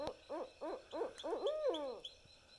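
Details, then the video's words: Wild barred owl, one of a pair, calling at night in woods in central Texas east of Austin while responding to playback of its call: five quick rising-and-falling hoots, then a longer drawn-out descending hoot, with faint insect chirping behind. "Barred Owl Calls"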